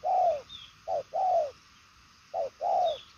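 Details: Spotted dove of the purple-legged 'đồng son' type, cooing strongly in the 'nước xa' style. A short low note is followed by a longer descending coo, in two pairs, with faint high chirps in the background.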